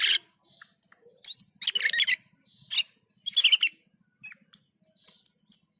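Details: Lively singing (gacor) of a Black-and-white bulbul, also described as dazed (teler): loud, scratchy chattering bursts separated by silences, ending in thin, high, clipped whistles.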